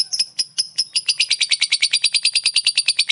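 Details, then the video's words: Ngekek chatter from a lovebird, used to stir other lovebirds to anger: a few spaced chips quickly speed up into a dense, rapid, high rattling trill that keeps a steady pace to the end. "Lovebird ngekek bikin lovebird kamu darah tingi"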